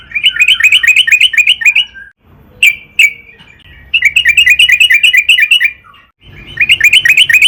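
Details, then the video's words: Yellow-vented bulbul in long 'gacor' song, used as a lure to make others sing: rapid series of bright, bouncing chirped notes in fast runs, broken by short pauses and a few single sharp notes. "burung trucukan gacor PANJANG buat PANCINGAN TRUCUKAN AGAR BUNYI"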